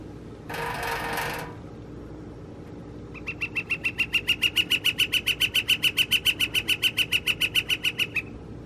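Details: A Northern flicker gives its mating call on April 17, 2021: a loud, steady run of about thirty sharp kek notes, roughly seven per second, for five seconds, after a brief rushing noise.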